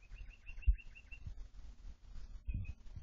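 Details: Captive sooty-headed bulbul, tame and noisy all day, uttering a rapid even series of about nine short whistled notes, a pause, then two more, with a loud thump and low rumble behind.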